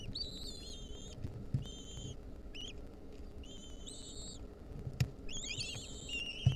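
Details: Begging of wild lesser kestrel nestlings being fed a mouse by their mother, 2023: a series of thin, high, wavering squeals in bursts, some slurring downward, over low background rumble and occasional knocks.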